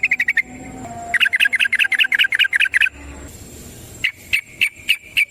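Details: Yellow-vented bulbul (trucukan) in long, rapid 'ropel panjang' song used as a lure to get other birds singing: bursts of quick, sharp chirps repeated in runs, with short pauses between phrases.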